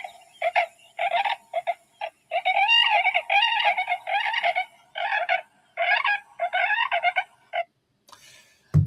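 Several Tundra Swans call together in short, high, nasal whooping bursts that overlap and tumble over one another, less brassy than a trumpet.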